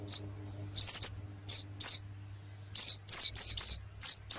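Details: Canary from a master recording for contest preparation: sparse, sharp high whistled notes, some in short clusters of three, separated by quiet gaps, each note sliding downward; faint low hum throughout.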